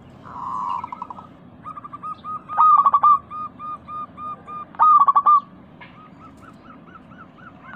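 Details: Steadily singing local zebra dove with a bright 'crystal' voice, recorded as a lure for pet doves: soft coos rise into two loud clusters of clipped, pulsing notes, then fade to lighter rolling coos.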